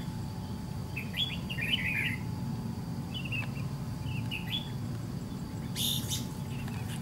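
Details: Red-whiskered bulbul of the white-cheeked type, singing during a fight-trap session with a decoy bird: short bright warbled phrases in scattered bursts over a steady low rumble, ending with a brief loud rustling burst.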